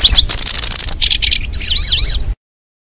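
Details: Cisticola sounds played to attract birds for catching: a high thin buzzy trill, then grating lower buzzes and a quick run of sharp zigzag chirps.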